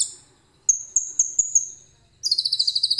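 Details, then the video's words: Common iora with cililin imitations in its song, recorded by phone: after a short opening note come five clipped, bright whistled notes with tails, then a rapid, evenly pulsed high trill. "KONIN GACOR FULL ISIAN CILILIN JERNIH"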